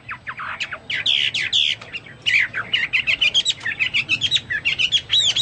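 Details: Chinese hwamei singing prolifically, in a style compared to the cucak Papua and cucak mas. Loud slurred notes lead into quick series of short, bright chips and whistled, arched phrases repeated at a rapid pace.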